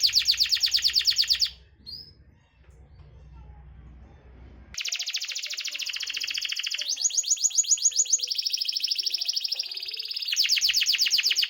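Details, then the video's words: Canary singing as a lure for canaries that will not sing. Dense, rattling high trills fill the clip and break briefly for a short chirp and a low hum. Rolling trill phrases then resume, changing speed and pitch. "Pancingan suara kenari malas bunyi"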